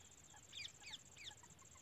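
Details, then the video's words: Grey francolin female calling in India: three short, bright, chirping notes in quick succession, each with a rising-then-falling inflection, over a steady high electrical whine and low background rumble. "non stop calling female India Desi Teetar ka Shikar Kamal video grey francolin"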